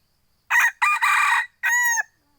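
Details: Crow of a second-generation junglefowl hybrid kept by a Hmong owner: a brief coarse opening note, a drawn-out raspy middle, then a pure, tonal final syllable, all loud and close against a quiet background.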